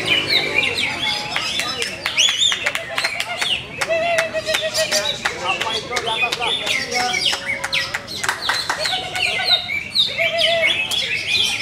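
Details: Greater green leafbird with many contest wins sings a long, lively stream of bright whistles, twitters and snapping clicks, fast and varied, with short lower whistled phrases between bursts.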